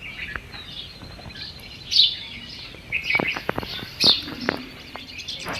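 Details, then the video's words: Garden birds singing in the morning: scattered high, bright chirps and short twittering phrases over a faint background hiss. "Sweet Bird Sound - Morning Sound Effect Garden Bird"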